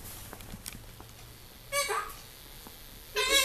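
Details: Pet severe macaw indoors checking out a visitor at the window; two harsh, buzzy squawks about one and a half seconds apart, each a dense rasping burst, over quiet room background.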